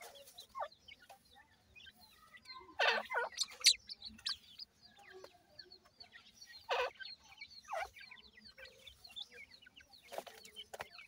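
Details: Captive francolin (partridge, teetar) chicks at feeding time: scattered thin downslurred peeps and chirps, broken by several loud broad clattering bursts, likely feeding noise.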